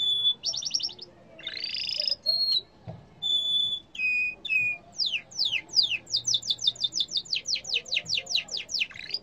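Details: Singing yellow canary: trilled and buzzy bursts, steady whistled tones at two pitches, then a long fast sequence of descending slurred notes repeated several times per second.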